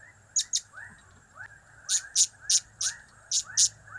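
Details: Blue-crowned hanging parrot calling with its cap-cap, kiak-kiak and crap-crap types. Shrill, piercing high notes come mostly in pairs, about every half second. Behind them runs a constant background of rapid, arching lower chirps.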